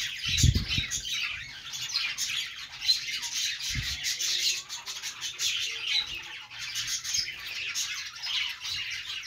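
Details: Budgerigar, an Australian parrot, making happy chirping noises indoors: a dense, unbroken stream of scratchy, high twittering and warbling chatter throughout, with two dull low thumps near the start and around four seconds.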